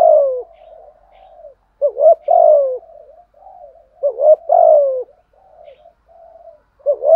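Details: Spotted dove acting as a lure, giving 'gù' and 'thúc' calls so that wild birds will call in reply. Paired coos come every two seconds or so, with soft warbled murmurs in between.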